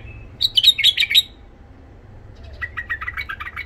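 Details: A tame white-eared bulbul from Iraq, with a rough voice, sings to tutor young birds: a fast, high chattering phrase, a pause, then a lower, buzzier run of rapid notes, all over a constant low hum.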